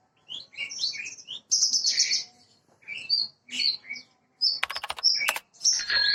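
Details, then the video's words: Parva bushlark (branjangan) singing in a prompting recording for making birds sing fast: a varied run of high twittering and whistled notes in short bursts, with a few sharp clicking or flapping sounds near the end. "PANCINGAN BURUNG BRANJANGAN PARVA BAHAN AGAR CEPAT BUNYI"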